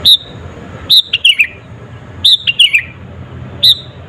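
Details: Energetic sooty-headed bulbul, natural recording used to bait rivals; a bright high note followed by a quick falling cluster of chirps, phrase repeated about every one and a half seconds.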